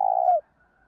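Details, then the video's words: Spotted dove giving a single smooth, low coo that holds steady then dips slightly before cutting off, followed by near silence. "Cu gay thuc cu dat thuc bổi"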